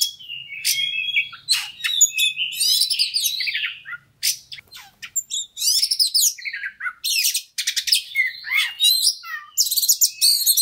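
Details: White-rumped shama used as a fighter-stimulating bird: fast, varied song of sharp chirps, rich whistled phrases and buzzy trills, delivered in dense bursts with short pauses, a faint low hum underneath during the first four seconds.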